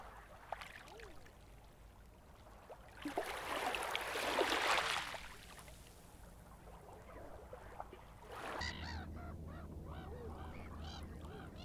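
Eiders give low, crooning and gruff calls, rising into a busy overlapping chorus near the end, with a burst of wind or surf in the middle.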